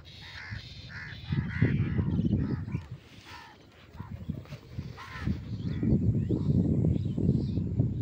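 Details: Crows calling, with a run of harsh, rasping caws repeated quickly over the first two seconds, then further scattered caws over a steady low rumble of background noise.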